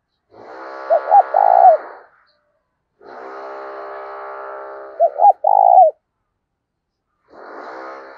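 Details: Decoy spotted dove with a 'thổ đồng' voice, meant to prompt other doves to coo: the three-part phrase of two quick notes and a long coo sounds twice, set within long stretches of buzzy harmonic droning.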